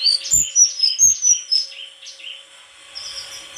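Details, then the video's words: Song of a white-throated flycatcher: rapid high whistles and short chirps tumbling in a lively sequence, fading to softer, sparser notes toward the end. "Sikatan krongkongan putih suara gak kalah sama burung kicau lain"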